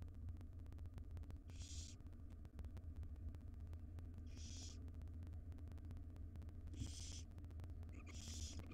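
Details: Five wild baby barn owls in a monitored nest box beg while their mother feeds them breakfast, giving four harsh, breathy snoring hisses, each about half a second long, spaced irregularly, against a constant low hum and ticking.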